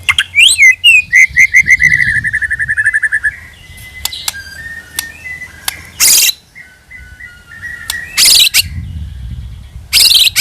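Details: Lure sound of a white-rumped shama: opening high whistles and a fast buzzy trill, followed by soft thin whistled notes, with several loud bursts of hissing noise in between.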